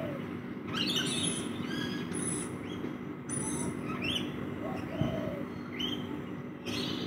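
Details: Several rainbow lorikeets feeding in a backyard: sharp, rasping upward-sweeping squawks in loose bursts, some overlapping, with a faint low hum and a brief lower cooing sound underneath.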